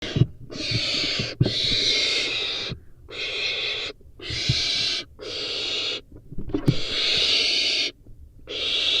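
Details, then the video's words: Barn owl nestling eating a rodent, watched on a webcam: long harsh rasping hisses lasting about a second each, separated by brief silences, with soft rustling and thumps beneath. "Barn owl nestling eats rodent"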